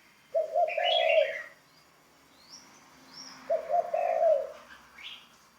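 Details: Training ground-decoy spotted dove coos twice, each a low, slightly rough phrase of linked notes just under a second long, about three seconds apart, while brighter high-pitched chirps from other birds come in between.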